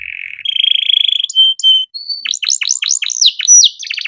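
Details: Domestic canary singing an ornate tutoring song for untrained birds: opens with a long rapid trill, then two pure whistled notes, then a string of swift descending slurred sweeps and a quick rising finish.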